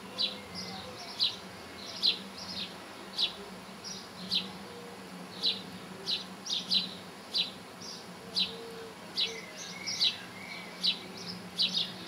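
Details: Linnet, a small finch, close up; a long run of sharp high twittering notes roughly every half second, with a few softer lower warbled phrases mixed in, over a faint low hum.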